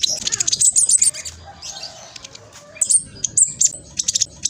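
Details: Black sunbird singing fast and loud, used as a lure to set other birds answering; thin, very high chattering twitters in bursts, with a quieter stretch in the middle before more sharp chips.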